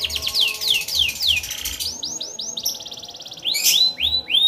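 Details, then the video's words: Canary in continuous 'gacor' song with a luxurious 'cengkok mewah' style, meant to make other canaries sing along: rapid downslurred whistles, then a string of rising upswept notes, a dense buzzy trill and bright rising phrases. "Suara Burung Kenari Gacor cengkok mewah"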